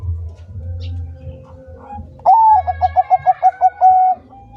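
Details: Zebra dove of the Bangkok type in lively song: after a quiet stretch of low hum, it gives a sharp upslurred coo, then a quick string of about eight clipped notes, closing on a sustained tone.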